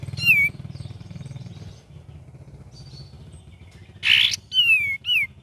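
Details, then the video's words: ['Cream-vented bulbul singing in gacor and ngeriwik variation style: one falling whistle, then a harsh rasping burst and two more clear whistled notes that slide downward, over a low mechanical hum.'] "KAPAS TEMBAK VARIASI GACOR DAN NGERIWIK"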